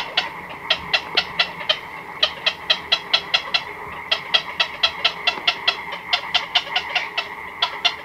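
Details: Black-crowned night heron colony at night, chicks and adults calling close by: bursts of fast, dry ticking notes in quick runs, separated by brief pauses.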